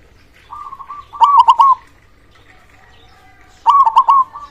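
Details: Local zebra dove with a loud, big voice, played to stimulate silent or reluctant doves to sing: two cooing phrases, each a soft rising coo leading into a rapid burst of staccato, bubbling notes, separated by a quiet pause.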